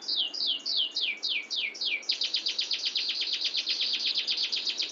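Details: Canary performing its long, clear rolling song: about two seconds of bright downward-sweeping whistles, several per second, that break into a rapid, tightly packed trill continuing to the end.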